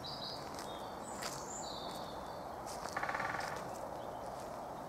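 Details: Territorial drumming by a Great Spotted Woodpecker in woodland: one brief rapid roll of taps near the middle, preceded by high whistled notes from other birds over soft, continuous outdoor noise.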